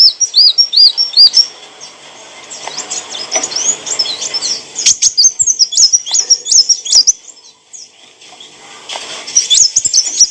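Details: Clear song of an olive-backed sunbird, used to train cage birds: arched high whistles repeated quickly, then long runs of sharp, twisting twitters, a short lull, and a final burst of looping notes.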